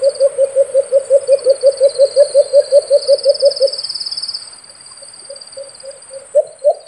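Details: White-eared brown dove giving a fast, even series of low hooting notes, nearly three per second. The series fades to softer notes, then strong hoots return at the end. A high, shimmering insect drone runs throughout.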